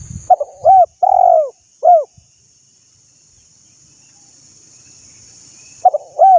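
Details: A spotted dove coos in a brief burst of arched notes and one drawn-out coo, then falls silent before starting again at the end. Used to encourage birds to sing; soft background hiss.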